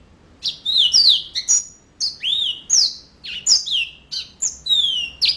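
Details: Yellow-fronted canary singing steadily: bright high whistles, some sliding down and some rising, alternating with crisp chirps at a quick, even pace against a quiet background.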